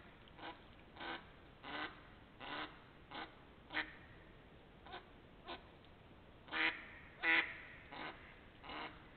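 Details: Ducks recorded from 28 March to 3 April 2021 give a long, uneven series of short quacks, most of them soft and a few louder near the end, over a hissy background.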